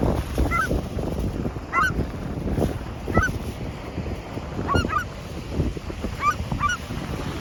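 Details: Seagulls calling by the shore: a series of brief, rising-then-falling yelping notes, some doubled, six or seven in all. They are partly buried under heavy wind noise and gusty rumble.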